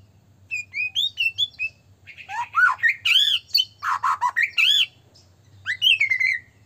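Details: Agitating lure song of a white-rumped shama for provoking other shamas: a string of bright whistled notes, then loud rasping, squawky phrases with rising and falling slurs, closing on a descending whistle; low hum underneath.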